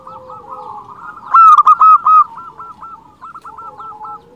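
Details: Zebra dove, local type, singing eagerly to attract other doves: a loud volley of fast, evenly spaced staccato coos in the middle, framed by softer trilled cooing from more distant birds.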